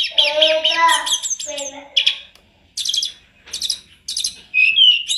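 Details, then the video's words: Tledekan gunung (Sunda robin) singing vigorously on a master recording made for training other birds, song full of fill phrases: dense harmonic chattering notes, then separated bursts of high buzzy trills and a final rising whistle. "Masteran TLEDEKAN GUNUNG gacor dor istimewa full isian"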